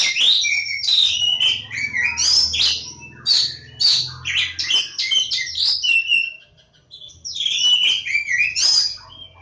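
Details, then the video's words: Kacer Jawa, the Oriental magpie-robin, from lebakgowah: rich, varied song of sweet whistles, chattering trills and sliding high notes in quick phrases, with a faint low hum underneath. "Kacer Jawa lebakgowah"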